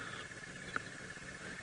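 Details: A crested barbet calling a little off to the right at Djuma, Sabi Sand, South Africa, on an April 2018 sunrise drive: a faint, unbroken, rapid purring trill, continuous as if circular-breathing. Breeze hiss and one click.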